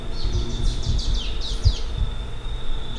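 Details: Whistling Warbler, an endangered endemic of St. Vincent's forests, giving chip notes rather than its main song: a quick burst of about eight sharp, high, downslurred chips over a second and a half, over a steady high hum and low rumble.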